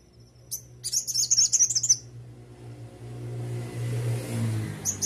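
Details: An oriental white-eye sings isian sogok ontong master song meant for teaching other white-eyes: a quick one-second run of shrill, tumbling chirps, then a vehicle's low roar grows louder before a last note starts.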